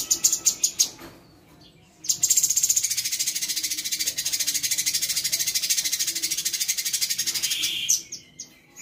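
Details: Sooty-headed bulbul tutor bird, calm while teaching song material to its pupils, giving an indigobird imitation in a rattling 'cerecet' version after rain in cold weather; a dense, buzzy, high rapid-pulsed trill held about five seconds after short clicking notes.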